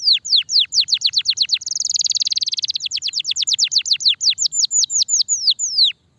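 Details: Canary of the starblue type singing at length as training material: a steady series of sharply descending whistled notes broken by a dense buzzing trill in the middle, then more quick falling whistles.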